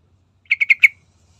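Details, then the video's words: Sooty-headed bulbul (trucukan) lure call meant to get birds singing: one tight burst of four quick, harsh, slightly descending chattering notes in clean silence. "Dengar Trucukan Gacor Full Isian"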